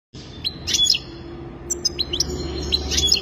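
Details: Goldfinch giving scattered sharp chirps and short upward-flicking notes in a loose, broken series against a low steady hum.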